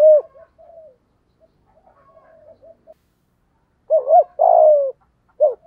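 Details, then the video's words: Spotted dove cooing in the 'giọng thổ' style, used to provoke stubborn wild doves into calling: soft, broken low coos, then a loud phrase of two quick looping notes and a long, slightly falling coo, with another short coo at the end. "cu gáy giọng thổ đầy đủ bài bản, giúp những con bổi cứng đầu ức chế và nhạy gáy"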